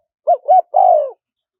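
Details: Spotted dove in a small, high voice, wild-style kharom pa phrasing, recorded for luring wild doves in: two quick arched coos followed by one drawn-out, gently descending coo. Clean and close, no other sounds.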